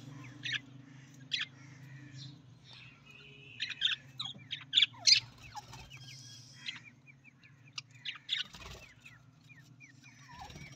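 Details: Budgerigar, an Australian parrot, giving scattered short chirps and brief squeaky notes, some clustered and others spaced out, over a steady low mechanical hum.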